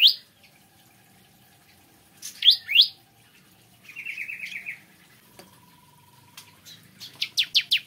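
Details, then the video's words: Bar-winged prinia singing in the morning: a few sharp chirps, a short buzzy trill, then a fast run of high, downward-swept notes at the end, with a thin steady tone in the background. "Kicauan Ciblek Kristal Dipagi Hari"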